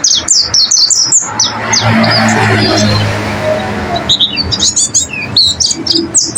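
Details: Pleci (white-eye) training song for caged birds: rapid, high, down-slurred chirps in quick runs at the start and end, with a noisy, rumbling stretch in the middle.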